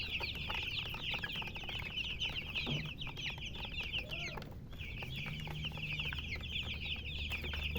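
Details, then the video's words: Baby chicks chirping: crowded, nonstop high peeps in overlapping bursts, a brief lull near the middle before the chorus resumes, with low background rumble and hum. "Baby "Chicks Chirping" Sound"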